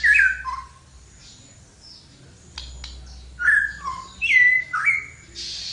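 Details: Flowerpecker singing actively: clear slurred whistled notes near the mid-high range, some falling, given in two short bursts separated by a quiet pause, with a faint low hum underneath.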